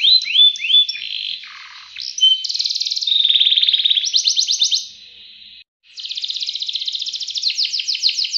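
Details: Canary in long, rich "ngerek" style song: rolled phrases of rapid buzzy high notes, sliding whistles and fast repeated trills that change every second or two, with a brief pause before a new rolling trill. No other sounds.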